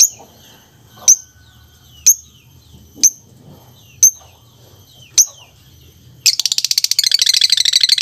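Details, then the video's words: Lovebird giving sharp, high, clipped chips about once a second, five in a row, then breaking into a fast buzzy rattling chatter at the end; faint low hum underneath. "SUARA BURUNG LOVEBIRD"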